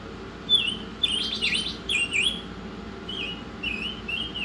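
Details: Oriental magpie-robin singing in a songbird training recording: a burst of scratchy buzzy notes, then evenly spaced, clear, dipping whistles over a low steady hum.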